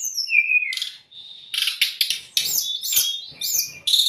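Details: Lure and training song of a white-rumped shama for young or stressed birds: a short descending whistle, then loud harsh buzzy bursts mixed with upward-swooping high notes.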